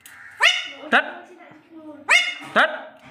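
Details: An Alexandrine parakeet trained to talk gives two pairs of abrupt, harsh, rising syllables, spaced over about two seconds. A soft hum runs underneath.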